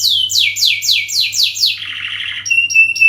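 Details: Canary's long song used to prompt singing: a sequence of downward-slurred sweeping notes, then a rolling rattle-like trill, ending in clipped high whistles; faint hum behind.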